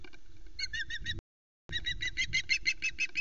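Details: Female osprey flying from a pole tree to the Loch Arkaig nest, announcing her arrival. Sharp chirping whistles with bright harmonics, repeated about three times a second in two bursts separated by a silent gap, over a low steady hum.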